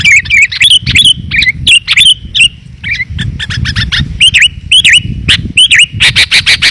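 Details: Sooty-headed bulbul lure call, used to draw wild bulbuls down, described as clear and dense: rapid series of bright, bubbly whistled notes with quick rising and falling inflections, packed closely together, ending in a burst of harsh chattering notes; low rumbling background.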